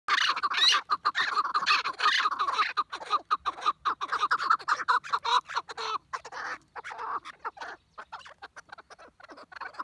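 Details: Chukar partridge calling in a lively outburst: a rapid, uneven stream of harsh, chattering chuck notes, about two per second and often overlapping. The calling thins out and softens toward the end.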